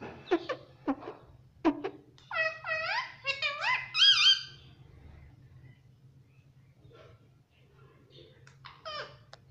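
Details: Pet parrot talking, said to say "mummy": clicky syllables, then a cluster of harmonic, rising-falling notes and a high squeak, followed by quieter scattered chirps, indoors with a steady low hum.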